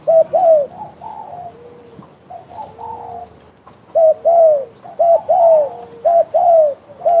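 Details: Spotted dove calling actively, giving mellow cooing phrases of two or three soft downslurred notes in bursts, with a quiet pause in the middle and a faint lower hum under the coos.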